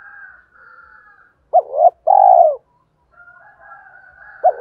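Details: Spotted dove giving a loud, clear calling coo used as a lure for wild doves: a short deep hooted note, then a longer, fuller coo, with another coo beginning at the end, over faint steady higher-pitched tones in the background.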